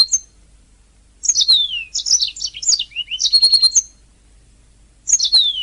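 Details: Canary song as a training master: sweeping falling whistles and clipped chirps in a short phrase, a pause, then another descending whistled sweep.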